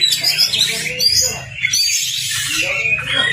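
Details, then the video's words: Oriental magpie-robin stimulus song for a kacer that has stopped singing: varied high whistles and twittering, a brief lull near the middle, then busy phrases resume over a low hum. "PANCINGAN KACER CEPAT ON NGOBRA... masteran Kacer macet"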